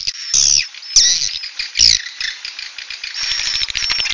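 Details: Swiftlet "suara inap" roosting call: three loud, harsh downslurred squeaks, then softer high twittering with light clicks.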